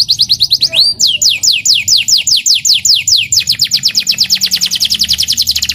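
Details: Young local canary in morning sun, noted for a loud voice, singing a series of clear downward-sweeping whistled notes, slower at first, then speeding into a rapid rolling run.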